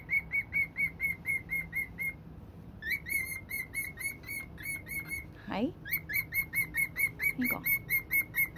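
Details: An old pet cockatiel serenading a box it claims to hate: rapid, repeated pure whistles at one pitch, with a couple of quick downward swoops between the runs.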